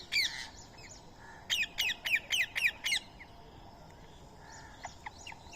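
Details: Indian ringneck parrot calling during daily feeding on soaked rice and corn, a squirrel feeding alongside; one harsh squawk, a pause, then six rapid descending screechy calls in a tight row before quiet.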